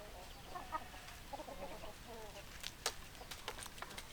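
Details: Chickens cluck softly in short, quick bursts, then sharper clicking and pecking-like taps take over toward the end. The birds are quiet and somewhat distant.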